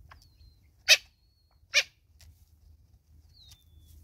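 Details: Natal spurfowl mother and chicks in South Africa: two strident rasping calls close together, surrounded by thin, high, falling whistles and faint ticks.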